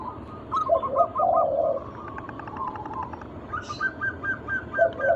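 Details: Local zebra dove giving lure song for other doves: a short burst of bouncy notes over a low gurgle, a quieter trilled stretch, then more clipped notes; faint ambient noise throughout.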